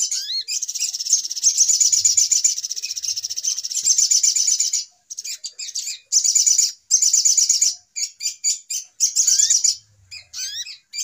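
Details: Little spiderhunter calling as a trapping lure: long stretches of high, rapid, buzzy chattering, then choppier bursts separated by pauses, with scattered short rising whistles.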